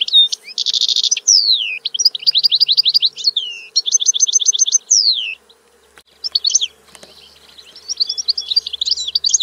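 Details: European goldfinch song: rapid tinkling twitters, buzzy trills and sweeping downward whistles high in pitch, delivered in bursts with a short pause midway, then resuming with more twittering phrases.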